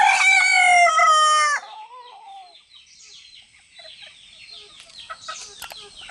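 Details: Rooster, one of three roosters communicating with each other and their hens. A loud, harmonic crow lasting about one and a half seconds ends in a falling tail, then many small birds chirp in the background.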